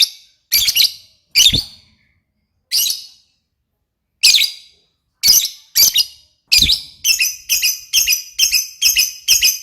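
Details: Lovebird singing: harsh, high, scratchy chirps, first spaced out with pauses of about a second, then speeding into a quick run of clipped notes near the end.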